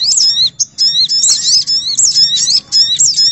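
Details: Crimson sunbird lure sound: rapid high twittering phrases of sharp, sliding chirps that repeat in short bursts separated by brief pauses.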